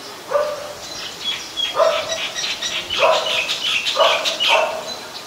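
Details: White-vented myna recorded 14 December 2020 in Ubon Ratchathani, Thailand, giving four harsh, nasal notes about a second apart, mixed with higher chattering and whistled notes in the middle of the sequence.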